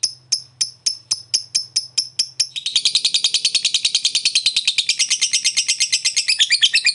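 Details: High, evenly spaced lovebird chirps about three per second, then a dense, rapid shrill chatter building to the end; sound meant to get an inactive lovebird singing again.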